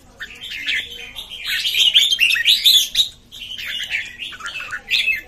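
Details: Newly arrived red-whiskered bulbuls recorded 13 June 2019: loud, rapid chattering and liquid whistled notes from several birds at once, swelling and pausing briefly near the middle.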